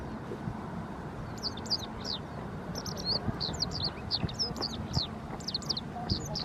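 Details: Japanese wagtail calling: a steady stream of short, sharp high chirps in quick clusters, some doubled, over a low background rumble.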